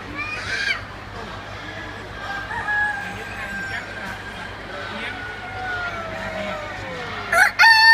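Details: A rooster at the Easter Show crows, drawn out for about five seconds and sliding slowly downward, after a brief opening squawk; a sharp, loud burst closes it over a low background hum.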